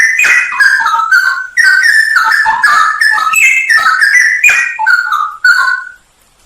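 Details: Straw-headed bulbul song from a masteran training recording, full of fill-in phrases and sharp shot notes: loud, rich, bubbling whistled phrases tumbling up and down, in bursts of about a second with brief gaps.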